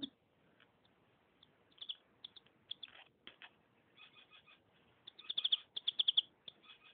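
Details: Canary (Serinus canaria), song.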